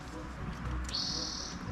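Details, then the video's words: Spotted Towhee heard around 5:30 in the morning at camp while backpacking near Lake Chelan and Stehekin in Washington's North Cascades. It is called extremely loud and gives a single drawn-out, high, even-pitched call lasting under a second over a low steady rumble. "There's this extremely loud bird."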